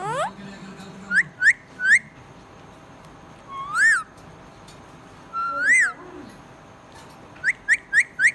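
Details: Happy pet budgerigar chirping: clear whistled notes that rise then fall, some short and quick in pairs and a run of four at the end, with two longer arched whistles in between and a soft low murmur at the start.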